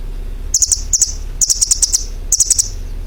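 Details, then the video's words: Very high-pitched bird twittering in rapid runs of clipped notes, one longer run of about eight pips, bursts roughly once a second over a soft low hum. "suara burung berkicau"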